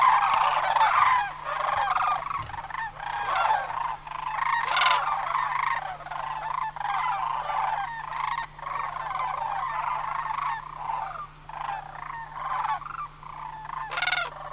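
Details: Sandhill cranes from a flock of about 100 that gathered for autumn migration at Homer. Many birds give a steady stream of overlapping rattling calls, with a few sharper, higher notes standing out.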